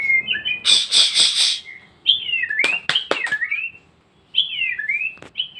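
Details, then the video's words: Captive-bred white-rumped shama singing in a lively burst: varied whistled slurs rising and falling, harsh buzzy rattled notes, and sharp clicks, with short pauses between phrases. "murai batu lepas trotol gacor dorr"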